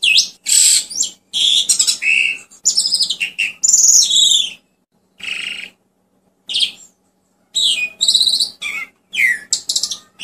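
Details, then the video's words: Asian pied starling, a popular cage bird able to copy other species' songs, giving a long varied song of harsh bursts and clear whistles, pausing midway before resuming with rising and falling whistled phrases. "SUARA ASLI JALAK SUREN"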